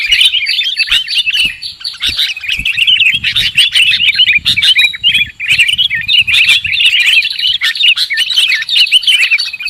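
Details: Lure recording of sooty-headed bulbul calls for trapping birds, packed with rapid overlapping chirps and squeaky twitters in a continuous excited chatter, with brief dips in loudness.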